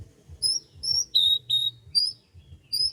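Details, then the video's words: Bird singing on a morning in rice fields: clear, high whistled notes repeated about every half second, some level and some slightly falling, over a quiet low rumble. "KICAUAN BURUNG"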